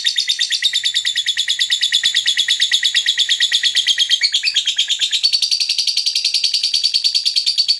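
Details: Continuous fast, buzzy high chatter from a lovebird, notes tumbling several per second with a brief shift in pitch midway, voiced to attract other birds.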